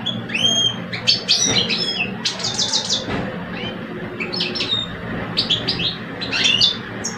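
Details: European goldfinch duel between two caged males in Algeria, an older bird against a two-year-old. Clear rising whistled notes open, then quick chirps and rattling buzzy phrases alternate, with gaps between bursts.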